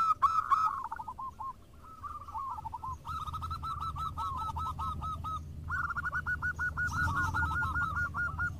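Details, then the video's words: Local zebra doves singing and answering each other: overlapping runs of rapid, ringing coos, some phrases with rising notes, the series louder toward the end, over a steady low background rumble. "PERKUTUT JADI RAMAI SALING SAHUT !! (Perkutut lokal gacor)"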